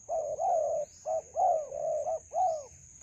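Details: Spotted dove calling in a melaleuca grove while being trapped with a decoy: three close, mellow coo phrases with long, slightly falling notes, backed by a continuous high-pitched insect buzz.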